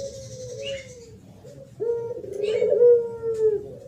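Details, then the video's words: Spotted dove in the thổ pháp song style, used to stir up males and females: a level mid-pitched coo, a brief pause, then a stronger, swelling drawn-out coo. "Tiếng Chim Cu gáy thổ pháp mới nhất 2023 hay nhất dùng kích bổi kích trống kích mái"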